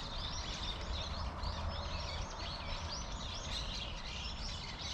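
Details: Plump Eurasian tree sparrows gathered in a persimmon tree, chattering together in a dense, unbroken stream of high, arched chirps over a steady low rumble.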